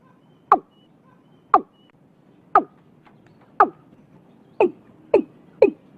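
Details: Hollow, knocking calls of a watercock in Vietnam, recorded early in the year: seven notes, widely spaced at first, then coming faster in the last few.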